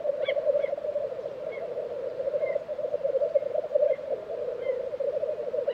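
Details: At a black grouse lek in Tiveden, Sweden, during April 2023, a constant low bubbling murmur dominates, with only a few faint, brief higher chirps now and then.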